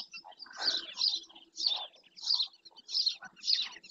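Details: Harsh, strident yaps from a black-winged stilt at Doñana, coming roughly every half second in a steady, scolding series with faint lower murmurs in between.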